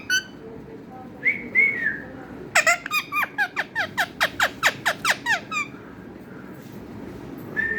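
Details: Talking parrot giving a few soft whistles, then a fast, even train of about fourteen sharp descending chirps, ending with a faint whistle.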